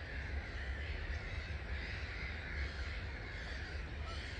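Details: Massed chatter from about 250,000 starlings leaving their roost at 05:45 on 21 March 2022, heard from a hide at Gibraltar Point NNR: a continuous dense wash of calls with steady low wind rumble underneath.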